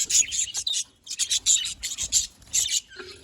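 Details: Budgerigars on 18 October 2023 making high, rasping chirps in quick pulses, a short pause near the start, then repeated scratchy bursts ending with a softer lower note.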